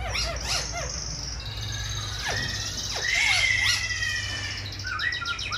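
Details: Caged, hand-tamed silver-eared laughingthrush singing while fanning its wings and spreading its tail: sharp descending whistles, then a bright sustained whistled trill and short rising notes, over a steady low hum.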